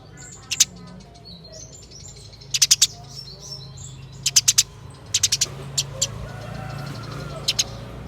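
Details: Eurasian tree sparrow in fighting mode, a master recording for training other sparrows: scattered bursts of hard, high chirps, single or in quick runs of three to five, with gaps between, over a steady low background hum.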